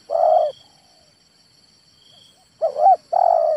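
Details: Male spotted dove: a burry drawn-out coo ends one phrase, then after two seconds of quiet a full phrase follows, wavering double note and long rough coo.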